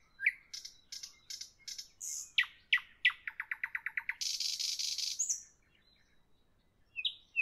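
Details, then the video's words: Nightingale in song in the evening, varied phrases: sharp chips, a rapid stuttering run of about ten clipped notes, a long harsh buzzing trill, then a pause and a fresh whistled start. "Evening nightingale, nightingale song, nightingale"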